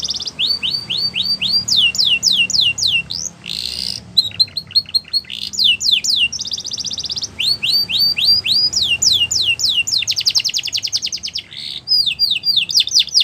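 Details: Border canary training song: rapid, varied bright rolling trills and sweeping whistled notes, high-pitched and nearly continuous with brief pauses.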